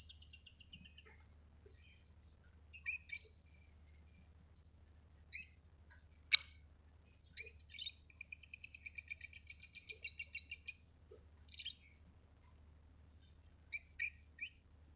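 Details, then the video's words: Chirping from a pet lovebird: quick high chatter in short bursts, a sharp click near the middle, then a long rapid trill of buzzy notes and a few final scratchy phrases, all above a faint low hum. "Love birds chirping sound"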